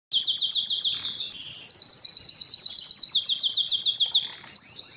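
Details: Canary, a Belgian-type male singing to attract females for breeding: a continuous rapid trill of high buzzy notes, rolling and repeating without pause, faint background hiss.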